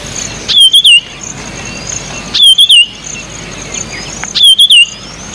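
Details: Marshall's iora, or White-tailed iora, sings a short, high whistled phrase of three quick slurred notes, repeated about every two seconds over a steady insect hum, during nesting activity.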